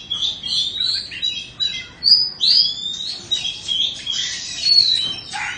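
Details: Caged two-season Oriental magpie-robin from Indonesia sings clear upslurred and downslurred whistles mixed with softer twittering notes, phrases following one another closely.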